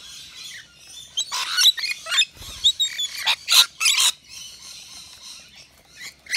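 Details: At a balcony feeder offering wet nectar mix, rainbow lorikeets give scattered harsh screeches and a couple of louder piercing squawks around the middle, over a soft background twitter.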